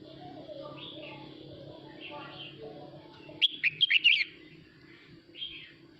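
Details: Male red-whiskered bulbul singing to call the flock, giving one loud, fast run of bright whistled and chirped notes lasting about a second, with softer bird twitters before and after.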